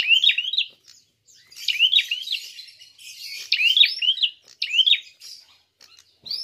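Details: Prinia giving a fighting call used as a lure to provoke other birds: rapid bursts of sharp, high chirping notes in quick zigzag phrases, repeated four times with short pauses between.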